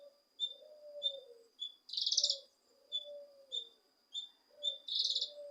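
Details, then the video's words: Cucak kinoi leafbird song, meant to provoke a lazy kinoi: high chips and loud buzzy trills, accompanied by soft low drawn-out whistles. "Cucak Kinoi Untuk Memancing Emosi Kinoi Malas Bunyi"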